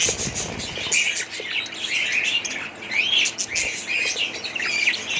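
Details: Several budgies keep up a busy warbling chatter: rising and falling whistled chirps overlapping each other with no pauses, bright and high.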